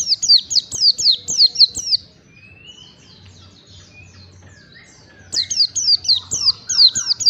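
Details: Oriental white-eye song for training caged birds to sing (ngalas): about eight fast, thin, falling whistles, a long quiet stretch with a faint rising note, then another rapid run of high downward notes.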